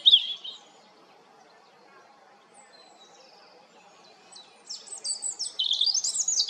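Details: European robin singing. A short high note opens, then a long near-silent pause, then a burst of rapid, high, sparkling twittering phrases toward the end.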